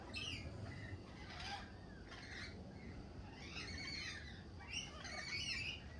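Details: Lorikeets in spring giving a run of harsh, buzzy screeches in short bursts, several overlapping, with a steady low rumble of background noise underneath.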